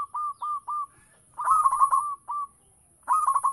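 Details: Local zebra dove singing energetically to lure other doves. A few separate cooing notes lead into rolling trilled phrases, with short silent pauses between the phrases.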